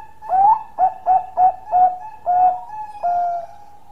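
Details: Bangkok-type zebra dove, a strong long-voiced singer, delivering a rhythmic cooing phrase of several short, slightly rising notes followed by longer drawn-out coos at the end.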